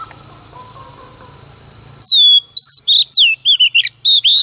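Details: Dawn song from a female Oriental magpie-robin meant to provoke males: after a low hum and soft distant notes, a sudden string of bright, rising and falling whistles runs without pause to the end.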